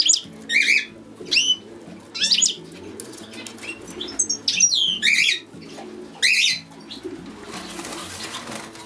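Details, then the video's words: Song of a European goldfinch: a run of quick chirps and short sliding trills, separated by brief pauses, while gentle low music plays steadily underneath. "European Goldfinch - Canto de jilguero"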